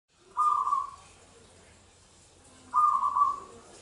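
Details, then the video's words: Local zebra dove singing; two bright trilled phrases about two seconds apart, each a rapid burst of whistled notes fading at the end, over steady background hiss and faint low rumble. "suara burung PERKUTUT lokal gacor !! suara perkutut lokal !! suara burung perkutut"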